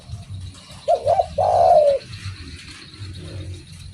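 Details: Spotted dove calling vigorously: one phrase of two quick wobbling coos followed by a sustained, slightly falling coo, against a continuous low mechanical-sounding hum.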